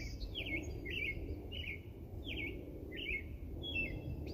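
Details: A bird gives a run of short, sharp chirps, each a quick downward-sliding note, repeated roughly every half second with slight changes in shape, over a steady low rumble of background noise.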